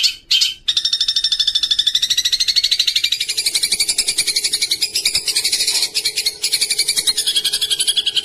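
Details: Cendet (long-tailed shrike) masteran song with house sparrow and kuntilanak fill-ins: two quick sharp notes, then a continuous dense, scratchy, high chattering trill with a faint low hum underneath.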